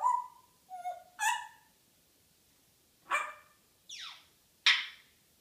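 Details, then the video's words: Female pet African grey parrot's morning banter: a quick sequence of whistled notes and buzzy squawks, a gap, then a harsh squawk, a fast downward sweeping whistle and a final raspy burst. "Hilarious African Grey Chatterbox"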